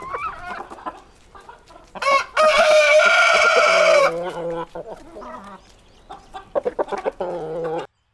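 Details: Rooster with a loud, hoarse crow that rises sharply, holds strongly for nearly two seconds, then falls away, surrounded by repeated clucks and calls from other fowl.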